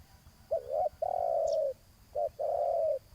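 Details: Spotted dove calling during decoy luring on the ground: two phrases of a short low coo followed by a long steady humming note, with slight background hiss.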